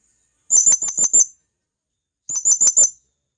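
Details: Wild blue-crowned hanging parrot from the forest calling to companions: two quick bursts of about five shrill, very high squeaky notes, separated by a pause of over a second, with clean silence around them.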